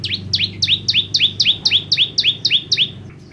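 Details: Bar-winged prinia song: a steady run of about ten loud, sweeping notes, each a high tick dropping into a lower downslurred chirp, evenly spaced and clear, with faint low hum beneath.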